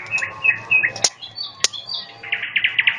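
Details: Nightingale singing outdoors on a riverbank beside a campfire: clear whistled notes near the same pitch, then a fast pulsed run of about eight notes per second. Sharp crackles and pops from the fire break in.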